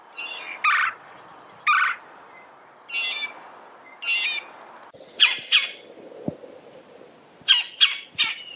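Red-bellied woodpecker giving short, harsh churring calls, spaced every second or so, with a quick burst of several calls near the end.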